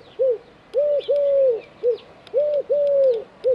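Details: Eurasian collared dove perched on an antenna in Dzierżoniów, giving a low cooing call: repeated three-part phrases of a short note, a long drawn-out note and a short closing note.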